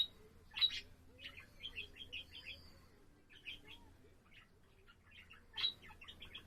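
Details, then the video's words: Pet budgerigar singing on 7 April: two loud, sharp squeaks framing clusters of quick, twittering chirps, with soft pauses between phrases and a faint steady hum underneath. "セキセイインコ そらちゃんのさえずり"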